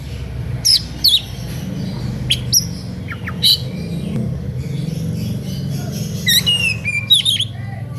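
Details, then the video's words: Oriental magpie-robin in emotional song aimed at provoking rivals to sing: sparse sharp whistles and short chirps separated by pauses, a few downslurred notes, against a louder low rumble. "SUITAN KACER NGEPLAY EMOSI MEMANCING LAWAN IKUTAN BUNYI"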